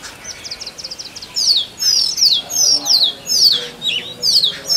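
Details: Male Oriental magpie-robin singing in forest to attract a mate: a quick run of short high chips, then a series of loud, clear whistled phrases that slur downward, repeated about every half second.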